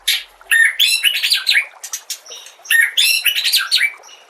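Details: Master song of a white-rumped shama for training young birds, with nature sounds and trickling water; two bursts of dense, high, chattering phrases mixing buzzy notes and quick whistled slurs, separated by a brief lull.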